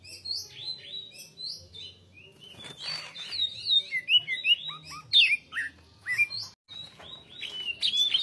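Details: Greater green leafbird pouring out dense song with tight pauses: overlapping whistled slurs, chattering chips and sharp downward sweeps, growing louder and busier in the middle, with a short break before more varied notes.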